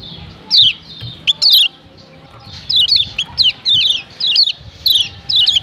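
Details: Provoking call of a female Lombok yellow white-eye aimed at males: a few high falling chirps, a silent gap, then a quicker run of paired downslurred chirps, with low background noise.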